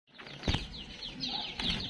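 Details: Captive grey-cheeked bulbuls (cucak kelabu) held as sale stock in Singojuruh, Banyuwangi, East Java, on 23 August 2024, give short, high, down-slurred notes several times in quick succession, mixed with loud wing flaps.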